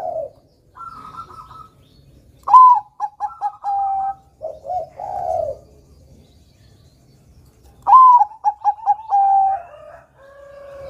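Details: Caged Bangkok-type perkutut, or zebra dove, repeating its song: a bright whistle, a string of short coos and a long note, then low rolling coos, about twice.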